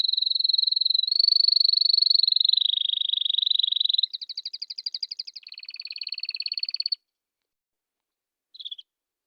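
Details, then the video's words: Canary song: a long, rapid, rattling trill held steady for about four seconds, then a second, buzzier pulsed trill, a brief pause and one short closing note. "If the canary does not tweet like this, then let it go"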